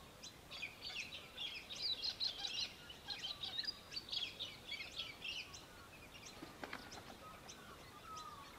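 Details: Australian hobby, Victoria, Australia, December 2023: moderately distant, rapid rasping chatter for about five seconds in uneven pulses, then quieter, with a faint rising whistle and other small bird notes around it.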